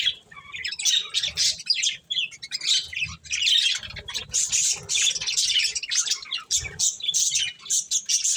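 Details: A group of budgies eating corn produce excited, scratchy chirps and squawky warbles, tumbling over one another almost without pause, plus quiet low thuds.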